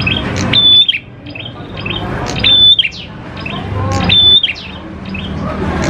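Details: Prinia song used as a lure to get prinias singing: a thin, level high whistle with a brief chirp after it, about every 1.7 seconds, with quick chirps between and a low rumbling background.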